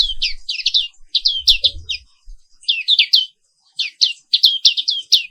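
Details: Black-capped white-eye, endemic to Indonesia, giving morning song: loud rapid series of high chirps falling in pitch, bunched in groups of three to five with brief pauses, light low thumps.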